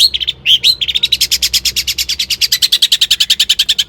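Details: Long-tailed shrike song used to incite shrikes to sing: a few squeaky notes, then a fast, even rattle of harsh, buzzy notes, about eight per second, running to the end.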